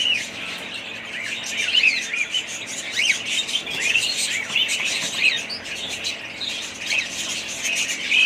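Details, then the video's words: Budgerigars keep up a steady, dense chatter of rapid chirps, rolling warbles and sharp little squawks with no pause. "budgies parrots"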